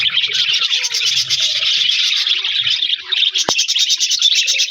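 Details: Budgerigars in an aviary colony, joined by a new companion, chirping together in a continuous dense chatter of warbling notes, with one sharp click partway through.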